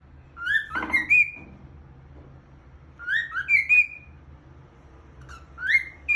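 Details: Cockatiel (Nymphicus hollandicus), whistled song.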